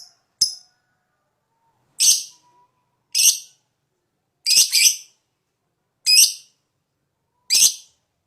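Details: Fighter lovebird in strong breeding condition sounding lure calls: single harsh, rasping high notes spaced roughly every one to one and a half seconds, one doubled, with silence between.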